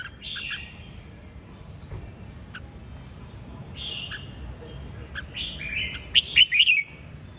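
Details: Red-whiskered bulbul in ché chẻ song, quiet buzzy notes and single chips at first, building to a loud rapid flourish of sharp whistled notes near the close.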